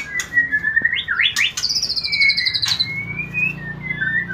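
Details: White-rumped shama singing to stimulate mating: sparse clear whistles, a sharp upward slur and a long high note, with clicks and a low hum behind.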